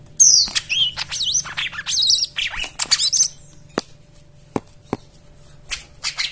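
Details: Varied white-eye song played as therapy for silent birds: dense twittering of sweeping high notes for about three seconds, then scattered sharp clicks and short chirps.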